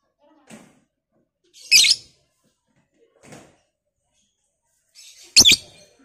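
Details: Lovebird, a Batman-type fighter bird, calling to provoke other lovebirds: two loud harsh high chattering bursts about 3.5 seconds apart, with fainter short chirps between them in a quiet indoor setting.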